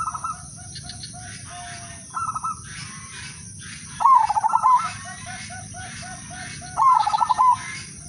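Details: Zebra dove of the udanmas silver type, a melodious lure singer meant to set other doves singing: loud trilled coos near the same low pitch at about four and seven seconds, quieter stuttering coos from other doves between, steady high hum behind.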